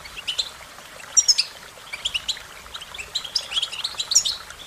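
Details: A short stretch of American goldfinch song: tight bursts of sharp, high tweets and twitters, loudest near the middle and the end, over a faint background hiss.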